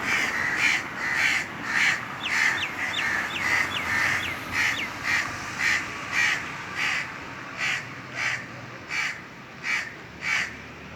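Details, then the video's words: Indian crows cawing on top of a tree in the hot summer season: a steady string of hoarse caws, with thin chirps from other small birds woven in early on. "Indian Crows cawing"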